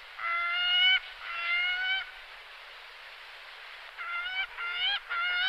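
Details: Gyrfalcon giving long, harsh harmonic calls, two drawn-out notes, a pause of steady hiss, then a quicker run of three clipped calls.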